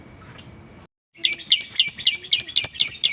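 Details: Lovebird used as a singing lure: after a brief faint bit and a short gap, a run of sharp, shrill, high chattering notes, about four per second, somewhat uneven and ragged.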